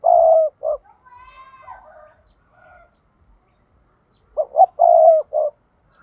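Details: Spotted dove 'thúc' lure call for trapping: a long hoarse coo and short note open, a softer wavering call follows, then a full phrase of two quick rising notes, a drawn-out coo and a clipped final note.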